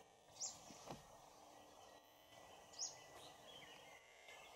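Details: Oriental dwarf kingfisher (Ceyx erithaca) at Bondla Wildlife Sanctuary in March 2019 giving two very high, thin squeaky notes about two seconds apart, over a steady hiss of background noise.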